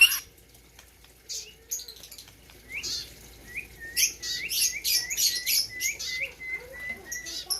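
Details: Fairly quiet singing from a white-rumped shama of Gayo, Aceh, at a 2021 competition: a steady series of short rising notes, several per second, with faint scratchy sounds between.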